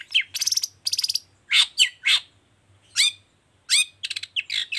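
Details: Long-tailed shrike singing a lively 'toet toet' song meant to set off other shrikes: bursts of fast buzzy trills alternate with loud, sweeping downslurred notes and a closing chattery flourish.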